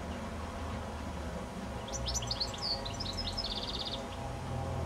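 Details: Goldfinch on a high telephone wire near sunset, one twittering phrase of bright high chirps and a slurred whistle ending in a fast buzzy trill, with low hum beneath.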